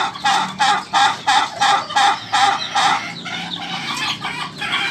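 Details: Ayam ketawa rooster with its laughing crow: evenly spaced, loud cackling pulses repeated about three each second, fading into a rougher, more blurred run near the end.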